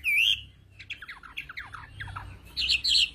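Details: Chinese hwamei from the Central Highlands mountain forests of Vietnam: a bright rising whistle, then a quick series of short descending slurred notes, ending in loud, harsher high notes.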